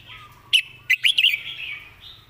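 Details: Red-whiskered bulbul kept as a song tutor, with clear notes and good phrasing: a single quick, bright phrase of sharp, rising and falling whistled notes over a soft background warble.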